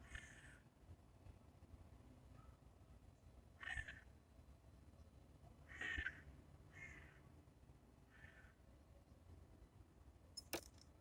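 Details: Titmouse visiting a bird feeder, calling with a series of rasping, buzzy notes spaced unevenly, a few louder than the rest, against low background rumble and a sharp knock near the end.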